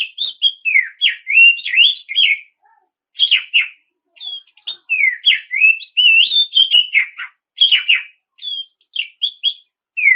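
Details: Oriental magpie-robin singing to provoke rivals into song; clear whistled phrases of rising and falling slurs, short quick notes strung together, with brief gaps between bursts.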